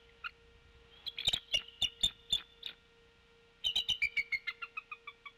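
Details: Wild female bald eagle at the Decorah nest, 23 April 2016 at 11 pm, on an infrared nest camera, giving warning calls after a disturbance: high, thin chittering notes in quick bursts, the second series falling in pitch; steady electrical hum.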